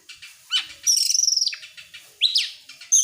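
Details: Excited Oriental magpie-robin opening its tail, giving sharp rising and falling whistled notes, then a fast rattling trill of steady high notes, followed by swooping upward slurs.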